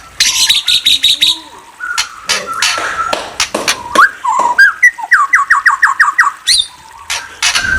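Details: White-rumped shama song: a rich, varied run of loud whistles and harsh chattering bursts, then a rapid series of repeated rising whistled notes, ending in scratchy chips and further clear whistles.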